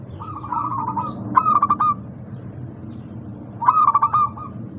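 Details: Zebra dove, a local bird, singing a lure song meant to prompt doves that are lazy to sing. Two phrases are heard, each a rapid run of pulsed, stuttering notes flowing into a wavering trilled coo, with low steady hum behind.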